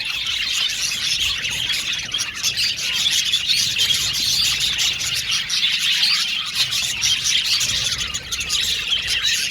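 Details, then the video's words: Aviary colony of male violet budgerigars, continuous high-pitched twittering from many birds overlapping, with faint low rumbling underneath. "Beautiful budgies chirping sound"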